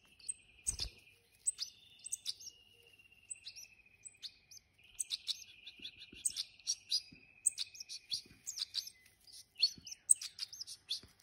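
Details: Hand-reared European goldfinches; a thin, steady trilling buzz runs beneath bursts of bright, high twittering chirps that grow busier toward the end, with a soft thump near the start.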